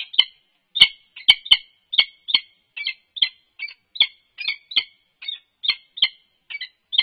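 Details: An unknown male peregrine falcon on top of a nest box at UC Berkeley interacts with the resident female, 3 November 2021. Around eighteen rasping notes come in quick succession, opened by a few sharp clicks.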